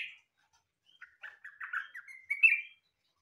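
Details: Song of a yellow-vented bulbul (trucukan), said to sound like a cucak ijo: a short opening note, a pause, then a chattering, bubbly phrase of slurred notes climbing to a loud whistled finish.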